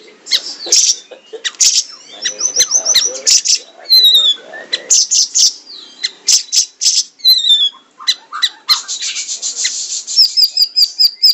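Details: Siri-siri in rapid, tightly packed song used as a tutor for caged songbirds. Many quick high chirps, descending whistled slurs and short buzzy rattles run together, ending in a fast repeated high trill.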